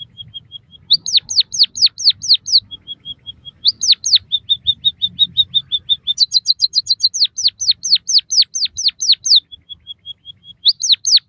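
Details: Repeating white-headed munia song for training captive birds: faint level piping, groups of six or seven down-slurred whistles, a rattle of high chips, then falling whistles again.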